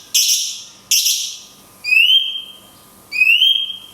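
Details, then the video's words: Song of a cungkok in 'tembakan kunti panjang' style, a recording used to train songbirds. Two harsh, loud falling bursts are followed by two lower whistles that rise smoothly and hold. "CUNGKOK TEMBAKAN KUNTI PANJANG - JEDA ALAMI"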